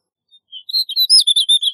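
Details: Rapid warbling phrase from a snow bunting: faint opening notes build into a quick series of bright, high twittering chirps that grow louder toward the end.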